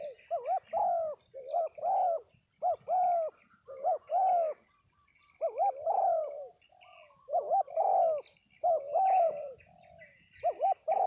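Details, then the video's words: Spotted doves at a cooing-dove meet-up in Đồng Tháp, Vietnam, cooing steadily: soft, throaty, rolling phrases of two or three notes repeat with brief pauses, several birds overlapping, and faint twittering sounds in the background. "Giao Lưu Các Cu gáy Đồng Tháp"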